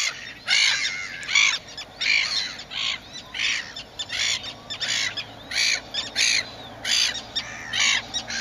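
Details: Young, fluffy grey little gulls give harsh, nasal, slightly squeaky calls in a steady series about every half-second, over a soft background hiss.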